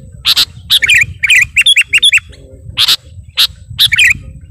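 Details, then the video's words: Sooty-headed bulbul calling to a rival with spaced sharp chirps and short rising twittered phrases, separated by brief silences. "Burung kutilang garuda gacor memanggil lawan"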